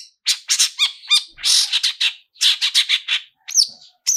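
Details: Long-tailed shrike "toet toet" lure song for triggering singing: scratchy chatter mixed with clear downslurred whistles and a longer harsh rasp, delivered in quick clusters with short gaps.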